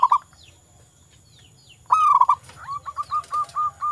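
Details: Local zebra dove, recorded to encourage quiet doves to sing: a near-silent stretch, then a loud rolling coo followed by an evenly spaced string of short, hollow notes, with faint high chirps nearby.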